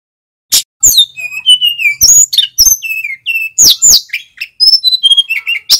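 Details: After a short silence a male sikatan gunung flycatcher starts a training-lure song: sweet descending whistles mixed with sharp high chirps and quick warbled notes, delivered continuously.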